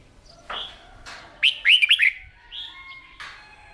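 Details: Caged red-whiskered bulbul singing during morning voice training: scattered soft chirps lead into a bright cluster of four rapid, bouncing warbled notes, followed by a thinner trailing phrase and a faint steady tone.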